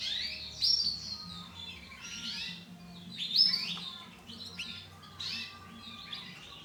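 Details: Chirping from a brown female canary: bright, high downslurred notes in bursts about two to three seconds apart, a faint low hum behind them.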